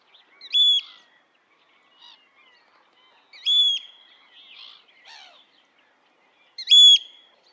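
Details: Wild Eurasian oystercatcher giving three loud, short, high piping notes spaced roughly three seconds apart, each a sharp flat whistle, with soft twittering from other birds in the quiet gaps.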